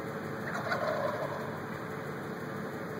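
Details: Five turkeys gobbling together, a single short burst of rapid rattling notes early on, fading under a constant engine-like hum.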